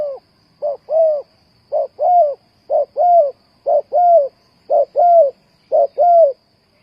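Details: Spotted dove call used as a lure for trapping: mellow, low cooing phrases, each a short note followed by a longer rounded coo, repeated about once a second over a faint steady high hiss.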